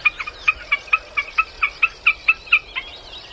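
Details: Common Snipe in Wales, calling from the ground, gives its tick-tock call: a steady run of hard, clipped double notes, about four a second, loud enough to attract a female into its territory.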